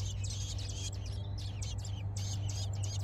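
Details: American robin nestlings in a nest in a blackberry bush beg for food as their mother feeds them, giving thin, high, scratchy chirps in rapid overlapping bursts over a steady low hum.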